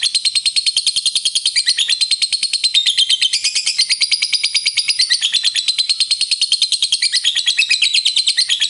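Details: Sustained ngekek of a lovebird, a long trill said to raise other lovebirds' mood: steady, very fast high buzzy chattering pulses running on evenly from start to finish.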